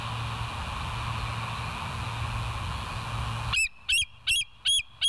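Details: Bald eagles filmed at the West End site on 9 August 2023 at 17:20 by a live nest camera: steady hum, then sudden loud, shrill, slurred piping calls, five in quick succession, about two or three per second.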